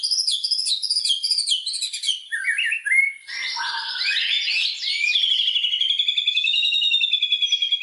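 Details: Lure song of a white-rumped shama meant to excite rival shamas into full singing: buzzy, chattering phrases and varied whistled notes, ending in a long, fast, even trill.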